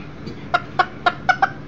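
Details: Millefleur d'Uccle chicken indoors, with a broody hen and a second hen in the house: six short, evenly spaced clucks over under two seconds, each a brief sharp tonal note.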